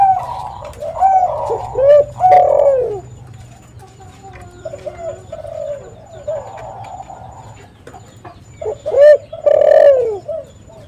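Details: Spotted dove calling, used to lure and trap other doves: soft low coos repeated irregularly, a couple of louder falling drawn-out notes, and quieter murmuring coos between them.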